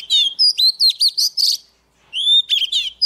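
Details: With a wild bird nearby, a young Oriental magpie-robin pours out quick, rich chirps and warbled whistles in a dense phrase, pauses briefly, then resumes with sweet sliding whistles.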